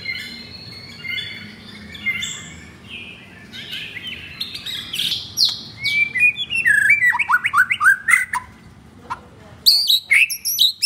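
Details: Murai batu (white-rumped shama), F4 blorok male offered for sale, caged, Jakarta, Indonesia: rich varied song of whistled notes, rapid rising and falling sweeps and sharp chattering bursts, building to loud clustered phrases near the end.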